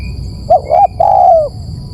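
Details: Spotted dove coo for luring birds: two quick rising-falling notes and a long smooth falling coo, one clear phrase over soft steady hiss.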